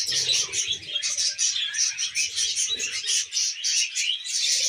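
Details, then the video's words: Cheerful pet budgerigar warble: a non-stop stream of rapid, scratchy chirps and trills, with quieter low chuckling notes mixed in. "Happy Budgie Sounds"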